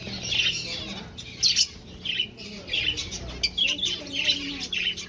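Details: Colony finches kept in an aviary for breeding utter scattered high chirps and brief buzzy squeaks, irregular and overlapping, some louder bursts standing out.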